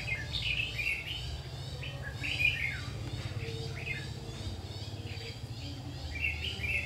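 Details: Red-whiskered bulbul, trapped bird, giving repeated lively warbling phrases with quick rising and falling notes, several bursts spread through the recording, with constant low hum underneath.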